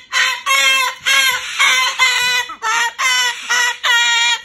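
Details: Bedtime protest from a pet Moluccan cockatoo that does not want to go into its cage; eight loud, rasping, harmonic squawks follow one another closely, each about half a second long.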